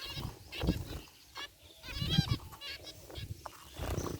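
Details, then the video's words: Zebra finches in an aviary cage, including a white one, give a few nasal beeping calls over strong low rumbling and clattering background noise. "Cute Zebra Finches in Aviary | Relaxing Bird Chirping Sounds"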